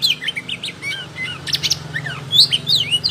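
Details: Oriental magpie-robin in full song with tail spread, kept as tutoring material for birds that have stopped singing; quick bright whistles, rising and falling slurs and a short buzzy burst mid-phrase over a low electrical hum.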